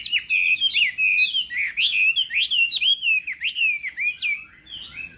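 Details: Chinese hwamei singing in a contest at morning voice training: a steady stream of clear, loud whistles, each sharply rising or dipping, delivered in a lively, unbroken sequence.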